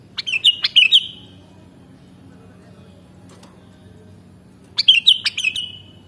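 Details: Sooty-headed bulbul, named locally as kutilang, giving two bursts of quick bubbly whistled notes near the start and end, separated by quiet background hiss.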